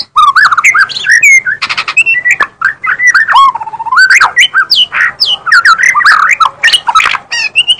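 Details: White-rumped shama singing very actively: a loud, rich stream of varied whistles, slurred rising and falling notes and harsh squawky phrases, delivered almost continuously with brief pauses.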